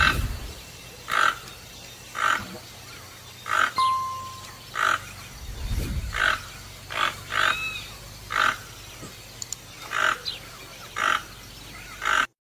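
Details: Toucan giving a long series of short, rough croaks at irregular intervals, with a brief whistled tone and a few faint bird notes in the background.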